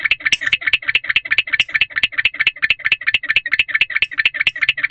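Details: Male barn owl calling from a nest box around 4:00 am on 20 February 2023, apart from the female, who is staying in a separate box. Steady chatter of quick raspy ticks repeating over two per second, with a faint background hum.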